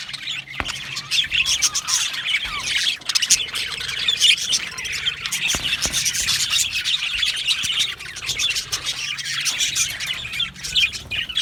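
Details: Aviary colony of budgerigars chattering continuously, many birds giving overlapping high twittering chirps and occasional squawks, with a few sharp clicks.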